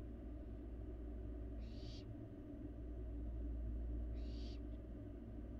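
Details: A young barn owl eats inside an empty nest box filmed by a Florida live camera; two rough, breathy hisses come roughly two and a half seconds apart over a continuous low hum.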